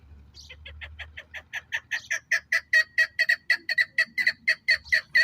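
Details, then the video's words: Chukar partridge, Pakistan's national bird, in a long series of hoarse, clucking notes that start softly and grow steadily louder, about two per second, each note harsh and ringing, with faint low rumble early on. "Kiklik Voice Sound Shikari chakor ki awaz"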